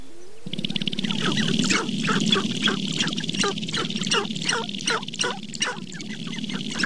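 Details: April chorus of sharp-tailed grouse, Namekagon Barrens, northern Wisconsin, captured on a Canon 5D Mark II with paired Sennheiser ME67 mics: a low buzzing purr begins, then quick repeated cackling yelps, roughly three per second.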